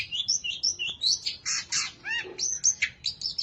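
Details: Long-tailed shrike, a competition champion bird, singing a full song stuffed with mimicked phrases to provoke rival shrikes into singing: high whistled notes rising and falling, with buzzy rasping bursts and short chirps in quick succession.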